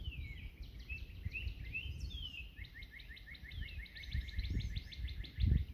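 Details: On a cool, sunny April 19 morning (46°F) near water, competing Northern Cardinals sing clear, slurred down-sweeping whistles, then speed into a rapid run of short repeated notes, over a steady low rumble.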